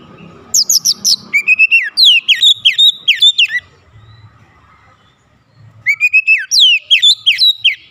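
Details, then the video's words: An Oriental magpie-robin sings two bursts of rich, varied whistled phrases, sweeping and trilling, separated by a brief pause; a lure recording meant to provoke other magpie-robins into agitated, vigorous song. "PANCINGAN KACER ANTI BISU mancing Kacer lain cepat emosi dan gacor"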